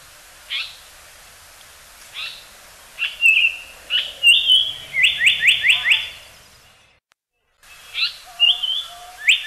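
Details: Japanese paradise flycatcher singing, taken from a reference recording: spaced single chips lead into slurred whistles and a rapid series of bright falling notes. After a short gap, the song restarts with whistled phrases.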